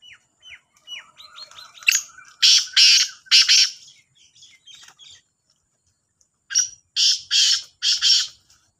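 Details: Black francolin, two birds calling in competition: loud harsh grating phrases in two bursts separated by a pause, with fainter chirps and descending whistled notes from other small birds early on.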